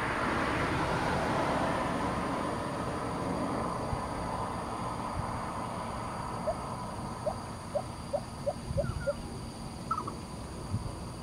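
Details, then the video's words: Lesser coucal in Singapore gives a run of about seven hollow, low hooting notes that quicken over three seconds, preceded by steady traffic rumble; lesser coucal song. "Songs of lesser Coucal"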